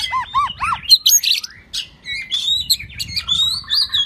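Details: Shrimp-tail White-rumped shama singing the 'rít thuốc lào' style, opening with three arched, fluty notes, then a loud tumbling mix of sharp chips, buzzy notes and clear whistles.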